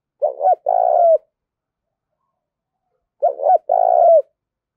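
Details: Spotted dove decoy with a loud, clear challenging call: two identical phrases three seconds apart, each a short stuttered double note then a drawn-out quavering coo falling at the end, silent between.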